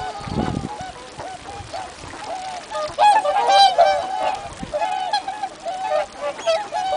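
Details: Several swans calling at Abukuma Shinsui Park in Japan: loud honking, bugle-like notes repeated in quick, overlapping bursts from many birds, with a burst of low noise near the start.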